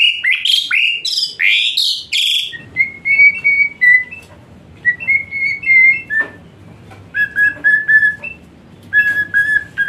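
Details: Asian pied starling (jalak suren) song played as therapy for a lazy-singing starling: loud rising and falling whistled notes, then a series of clear flat whistles with pauses over a low background hiss.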